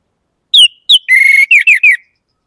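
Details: Orange-headed thrush: two separate falling whistles, then a long buzzy, rattling note, and three quick downward-slurred notes in succession. Quiet background.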